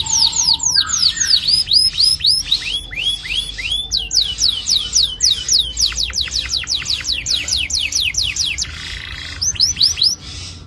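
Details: Canary rolling song used to stimulate young birds to sing, long and continuous: dense runs of quick downward-sweeping whistles in repeated series, broken by brief buzzy trills and short pauses.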